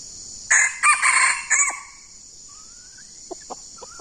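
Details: Junglefowl crowing during decoy luring of wild birds, two of them nearby: a brief, hoarse, choppy crow of four clipped notes, then a thin rising whistle from another bird and a few soft clicks, with constant shrill insects behind.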